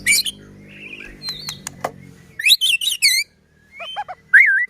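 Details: White-rumped shama song meant to stir other shamas to sing: loud separated whistled notes, a quick burst of wavering high syllables, then bold looping whistles, with a low hum at the start.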